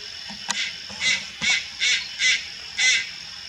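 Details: A juvenile Malayan night heron at Lugu, recorded 4 August 2022, makes short, hoarse, hissing rasps, five in a row at irregular spacing of about half a second, with a faint click or tap early on.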